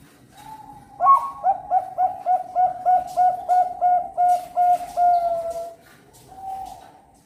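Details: National champion competition zebra dove, Cirebon, Indonesia, hatched 25 December 2021, delivering a clear string of about ten evenly spaced, bubbling coo notes, ending in a drawn-out note and a softer closing coo against quiet background hiss.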